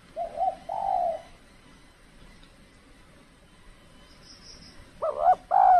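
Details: Spotted dove heard during decoy trapping in an extreme cold season, when the birds are less aggressive: a pair of low, mellow coos at the start, a long quiet pause, then two more throaty coos near the end.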